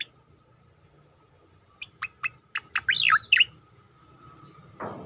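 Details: Striated grassbird (cicakoreng) tembakan-style song used as masteran training audio to provoke other birds: a few short sharp upward notes, then a quick burst of slurred whistles and a rising twitter, ending with a rustling noise.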